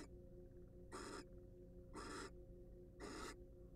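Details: Wild barn owl at a monitored nest box: three drawn-out, noisy hisses about a second apart, each roughly a third of a second long, over a low hum.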